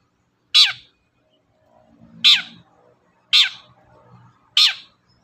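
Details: Long-tailed shrike giving four loud, grating downward-sweeping calls at irregular spacing, a lure sound meant to provoke other birds into singing; faint low murmur between calls.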